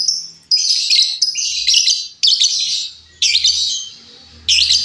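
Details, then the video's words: Wild female lovebird calling, kept for use as a lure or training model: loud, harsh high-pitched chirping bursts, each about half a second to a second long, repeated in quick succession with short gaps between. "suara Lovebird betina liar cocok untuk masteran ataupun pancingan"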